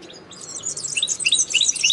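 A linnet-canary hybrid sings a fast, high twittering song of bright chirps and short trills that grows louder and busier over two seconds.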